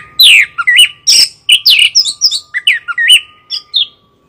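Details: Anis kembang, the chestnut-capped thrush, delivering rapid rich phrases: looping up-and-down whistles and quick chirps about twice a second, ending in a pause, against a constant thin hum.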